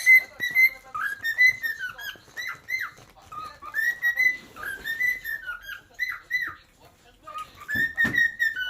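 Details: Cockatiel giving a run of clear whistled notes near one pitch, some sliding up or down, in short bursts with brief pauses, plus a sharper burst near the end.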